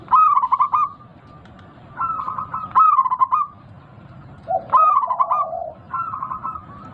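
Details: Stuttering, trilled coos of a big-voiced local zebra dove, played to coax caged birds into singing, repeat roughly every second or two, one phrase sliding into a lower, rolling purr.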